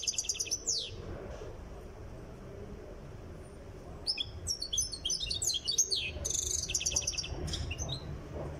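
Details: Tiaret goldfinch in song training, close to ready: a short twittering burst, a quiet gap of about three seconds, then a long run of fast, high, liquid chirps and jingling trills over a soft low hum.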